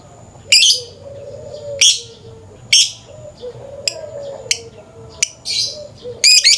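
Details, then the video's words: Morning lovebird 'ngekek' calling: sharp, shrill chattering bursts about once a second, some short and clipped, ending in a doubled burst; a quieter whining tone sounds between bursts. "Pancingan suara burung lovebird pagi pagi ngekek panjang"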